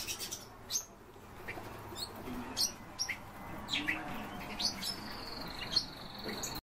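European bee-eaters give scattered short, rolling chirps at irregular intervals, with a thin steady high whine, likely an insect, in the later seconds.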